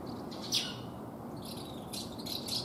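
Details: At a breeding colony, Asian house martins, flying very high, give short, dry chirps and buzzy twitters, high-pitched and scattered over a few seconds, with faint background hiss. Sparrows are contesting their nests.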